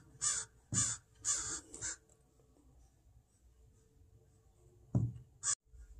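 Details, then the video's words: Crow pair fussing over a fledgling near a yard gives four quick harsh caws, then a pause with a thump and one last caw. "Crow making a fuss to protect their fledgling"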